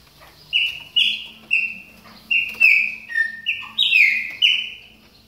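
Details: Chopi blackbird during moult, warming up with about eight loud whistled calls, mostly steady in pitch, one dipping lower, a faint low hum beneath.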